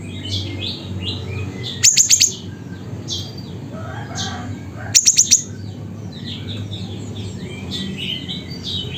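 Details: Siri-siri near a home in Busu Reului, Pidie, Aceh: two fast bursts of four to five piercing high notes, about three seconds apart, amid busy twittering from other birds and a low hum.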